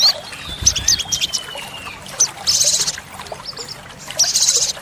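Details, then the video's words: Olive-backed sunbird (sogok ontong) song used as a lure and tutor recording for caged birds: short, very high buzzy bursts and chips, a long thin descending whistle early on, over steady trickling water. "Pancingan & Masteran sogok ontong (sogon) Full Isian Tembakan | Olive-backed Sunbird Bird sound"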